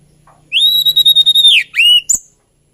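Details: Hill blue flycatcher, or tledekan gunung, in a long, even, high whistle held for a second, followed by a rising slurred note and a short sharp chirp.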